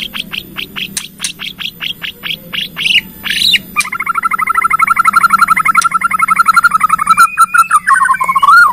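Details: Bornean white-rumped shama in lure song to trigger other shamas: evenly spaced sharp notes, then a long rapid trill of repeated notes running for several seconds before a rising flourish.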